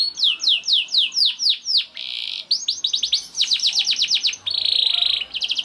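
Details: ['Canary song used to get other canaries singing: a series of slower descending swept notes, a buzzy roll, fast repeated chirps, and another dense roll near the end.']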